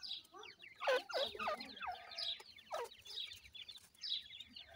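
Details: Grey francolin chicks kept on a Pakistani farm: quick, rapid high peeps overlapping several per second, with a few louder, lower, downward-swooping notes in the first half.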